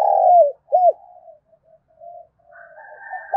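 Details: Spotted dove cooing to provoke fighting and prompt other doves to start cooing: a loud, low, hollow coo sliding downward, then a short arched coo and fainter trailing notes, with a higher steady tone near the end.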